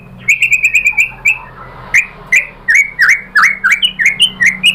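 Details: White-rumped shama (murai batu) singing as a pancingan lure to make other birds answer: a brief run of quick repeated notes followed by loud, sharp down-slurred chips spaced roughly a third of a second apart.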